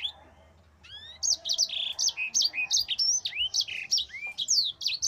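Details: Mozambique canary singing a long rolling song used for training other birds: rapid, continuous high bright phrases of swooping, rising and falling notes, with a few longer upward whistles at the start.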